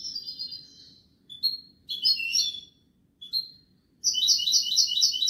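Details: Goldfinch song, Kobia Malaga style: scattered high tinkling chirps and short twittered bursts, building into a fast, ringing, buzzy trill in the last second, over a soft steady low hum.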